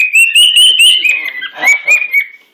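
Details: A male pet cockatiel sings very loudly, showing off to another bird during a Sunday breakfast: a run of bright, clear whistled notes with a slight upward wavering, then shorter chirpy whistles fading out at the end.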